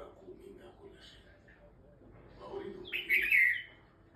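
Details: Quiet background murmur, then a single loud, bubbly, slightly harsh song phrase from a Himalayan bulbul near the end.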